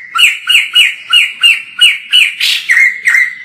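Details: White-crested laughingthrush, recorded from a distance, delivering a steady series of loud, rasping two-part chatter notes about three per second, with one rougher squawk near the end.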